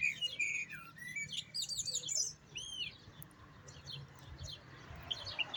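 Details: European goldfinch in full song: lively tinkling twitters, clear upward-curving whistled notes and fast chirp runs, pausing briefly before a final burst.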